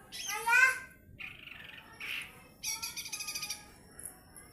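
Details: Lesser green leafbird in lively 'nembak' song: a varied sequence of harmonic whistled notes, a short raspy burst, then a fast run of high rattling notes and a few scattered chips.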